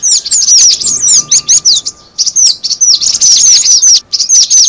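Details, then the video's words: Cinereous tit calling as a lure: fast clusters of high, whistled, falling chips, in repeated bursts with a brief lull midway. "suara pikat burung gelatik batu"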